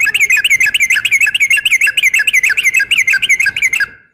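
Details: Yellow-vented bulbul female calling to a male: a fast, even series of bright, curling whistled notes, about three per second, running steadily for nearly four seconds before stopping.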